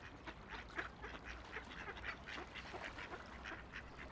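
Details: Rapid, chattering quacks from ducks playing on a quiet river, short rough notes repeated about four times a second in an uneven stream, with low background noise from the water.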